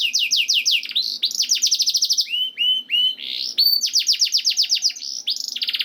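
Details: Canary singing, played to prompt other canaries into song: fast series of downslurred whistles about four per second, then clear lower notes, buzzy rattles and renewed sweeping trills, bright and continuous.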